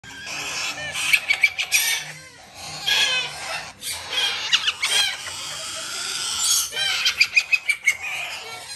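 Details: Major Mitchell's cockatoo chicks, a female and a male, captive-bred in Japan, being hand-fed on three feeds a day: harsh rasping begging squawks in bursts, with rapid pulsed clicking and gulping between them.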